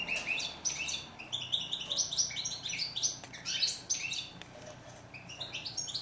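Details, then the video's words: European goldfinch, known in French as chardonneret and in Morocco as steyla, singing a run of bright, rapid twittering notes and short buzzy trills, high-pitched and tumbling without pause over a faint low hum. "Song of bird goldfinch"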